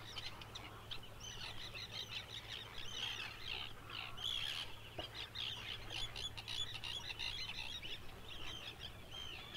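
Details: Red (Grey) Phalarope, a rare nesting bird in Iceland, where only a few dozen remain: a busy stream of short, high chirping notes, many overlapping, with a steady low hum beneath.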